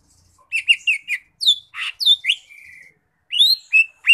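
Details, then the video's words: Lesser green leafbird in lively, continuous song: a quick run of sharp chirps and short whistled slurs, some rising and some falling, then a flat buzzy note, a brief pause, and more bright upward-sweeping whistles. "Suara Khas Burung Cucak Ijo Mini Gacor"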